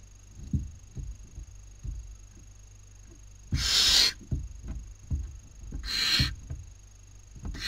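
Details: Barn owl owlets competing for food at a nest in Cabañeros National Park, Spain, 2019 breeding season; two rough hissing screeches over near-constant scratching and knocking of movement in the nest.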